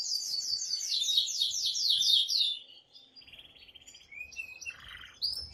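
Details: Excited male canary singing strongly to stir a female toward mating: a run of rapid down-slurred notes, then a lower buzzy trill and short varied phrases with brief pauses.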